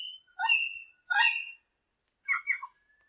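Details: Wild diademed amazon uttering three short bursts: a whistled note running into a harsh squawk, a second raspy squawk, then a quick double-noted grating call after a pause.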